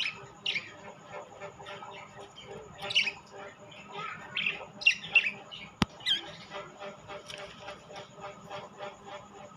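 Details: Budgerigars in rainbow and classic colours chattering with scratchy warbles and scattered sharp chirps, one sudden click partway through, over a constant faint hum.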